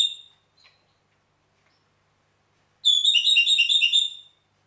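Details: Red-rumped parrot (Psephotus haematonotus) in Heraklion, Crete, sings a single clear note, then after a pause a rapid, rolling warble of high, bright whistled notes lasting about a second and a half.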